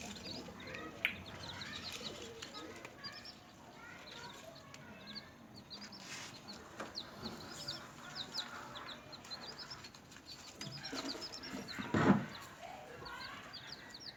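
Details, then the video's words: Small newborn chickens peep as they feed and play. Rapid, high, downslurred cheeps come in quick overlapping runs from several chicks, with scattered clicks and a louder knock late on. "SMALL Baby Chicken Sound,Chirping,Noise"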